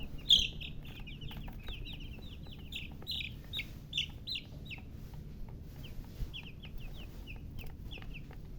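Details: Baby chicken chicks chirping: many short, high, falling peeps in quick overlapping bursts, with a steady low rumble of background noise.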